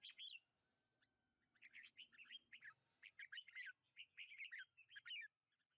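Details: Red-whiskered bulbul singing in a lychee orchard on 21 March 2020: quiet bursts of bubbly, chirping warbled notes in short phrases, with faint background hum.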